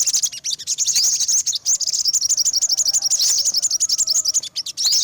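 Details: Olive-backed sunbird giving a rapid, continuous series of thin, very high chirps, about eight per second, with a few brief gaps.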